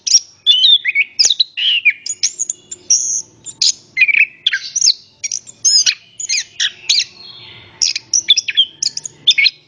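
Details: An orange-headed thrush sings a lively mix of slurred whistles and sharp chirps, repeated in quick phrases, as a prompt for other birds to sing; a faint low murmur runs beneath.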